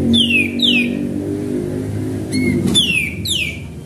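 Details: Sooty-headed bulbul in full song, used to draw other birds: paired downward-sliding whistles at the start and again near the end, with one short lower note between, and a low hum behind.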